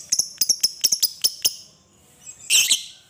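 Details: Lovebird ngekek panjang, long chatter used to lure other lovebirds into singing: a quick series of sharp, very high ticking chips, a short pause, then a dense shrill rasping burst.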